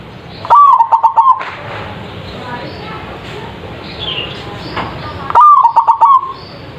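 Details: Zebra dove with a big voice, used as a lure: a quick staccato cooing phrase opens and another closes the stretch, with soft mixed chirps and a brief knock in the hissy middle.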